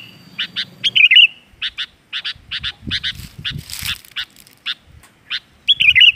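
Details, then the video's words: A caged Sooty-headed bulbul still in training, played as a lure song to get other bulbuls singing, gives short, bright chirped notes at an uneven pace, with bubbly warbled phrases at the start and end over a faint low rumble. "Suara pancing kutilang"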